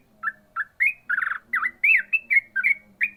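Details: Yellow-vented bulbul giving fast 'ropel' song, a lively string of rich warbled notes, some trilled, others rising and falling, with barely a pause between them over a soft low hum.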